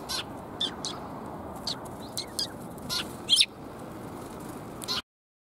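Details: Several sparrows, including a tailless one, recorded on 17 January 2022 on an outward walk. Short, thin chirps come at irregular intervals, a cluster around the middle. Soft clicks and low background rumble run throughout.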